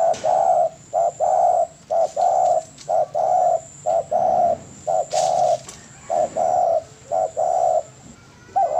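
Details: Spotted dove in a cage-bird training recording: a steady run of level cooing notes, mostly paired short and long, repeated about once a second with little variation over nine seconds.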